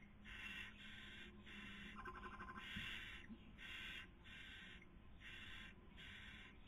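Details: Nest of barn owls in Cabañeros National Park, Castilla-La Mancha, Spain, 2020 breeding season; female feeding, male trying to sleep; steady rhythm of breathy rasping hisses about every 0.7 seconds, with a brief chittering trill in between.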